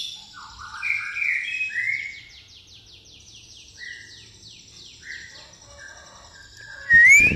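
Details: White-rumped shama singing with a fighting-sparrow fill in pastol style: warbled whistles, then a long fast series of short high descending chips, a few lower slurs, and a loud scratchy rising squeal at the close.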